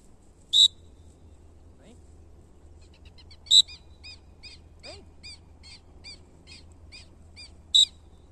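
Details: A captive-bred male Aplomado falcon kept for falconry in the 2020 season gives three loud, sharp, high calls a few seconds apart, with runs of soft, quick chirps between them over a low hum.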